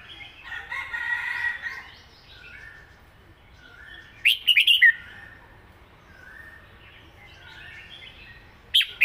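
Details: Red-whiskered bulbul, a Thai cage songbird, performing southern-style song. Soft warbling opens, then a loud, rapid phrase of several slurred whistles. A short, sharp note closes it, with fainter chirping throughout.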